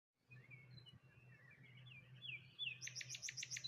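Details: Morning birds beside water near rose hips and a lone tree, with thin high chirps and twittering rising into a quick run of repeated sharp notes near the end, over a steady low hum.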